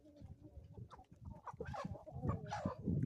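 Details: Chickens on an Ozarks homestead in the morning: a run of quick, rising clucks and calls that grows louder toward the end over low rumble.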